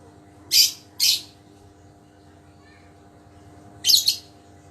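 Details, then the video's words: Pet lovebird, healthy again after illness and being tested for eager calling, gives two quick piercing shrieks half a second apart, silence, then a doubled harsh screech. "#Suara burung #Lovebird"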